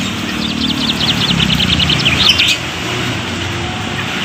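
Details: Bali myna singing: a rapid string of short, sharp chirps in quick bursts, partly masked by a loud broadband hiss and low rumbling background noise.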